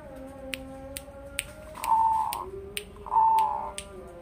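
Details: Crossing zebra dove, a two-year-old Bangkok × local hybrid kept in captivity and known for its deep, bassy voice. It gives two sustained coo phrases among sharp clicking taps and faint background tones.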